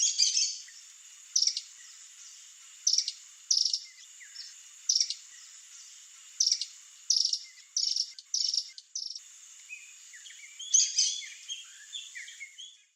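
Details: Swallow-tailed hummingbird (Eupetomena macroura) in Brazil giving short, high, scratchy chips in irregular bursts about every second or two, over a faint steady high insect-like hiss.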